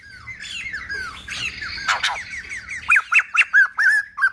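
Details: White-crested laughingthrush giving a quick run of loud, squawky, downslurred notes, about two per second, ending in harsh chattering phrases. This is a wild-forest-style voice used for training young birds.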